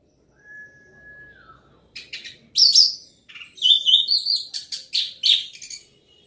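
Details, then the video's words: Orange-headed thrush singing loudly: a thin steady whistle first, then bursts of high, scratchy, varied notes and quick chattering phrases, rising and falling, packed into the last four seconds. "Anis merah gacor volume keras"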